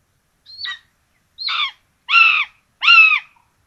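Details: Common buzzards feeding rabbit to two chicks at a nest in Tiszalök, Hungary, 26 June 2022; four rasping calls building in loudness, the first thin and whistled, the last two full and harsh.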